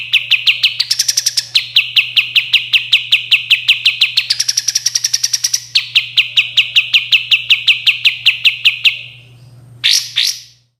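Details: Sooty-headed bulbul in a clear training recording for cage birds: long runs of rapid, sharp, high chips broken by two higher buzzy stretches, then a pause and a final short double burst, with a constant low hum behind.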